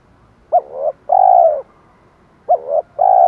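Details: Spotted dove call in the 'thổ pha thúc đấu' style, meant to attract wild birds: two phrases, each a short rising coo and a longer level coo, about two seconds apart, in otherwise quiet surroundings.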